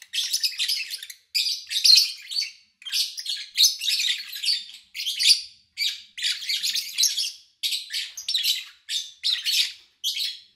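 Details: Lovebirds belonging to an owner, recorded in early August 2019 with few human sounds: almost continuous shrill, buzzy chirping in rapid clusters, each about a second long, with brief breaks between.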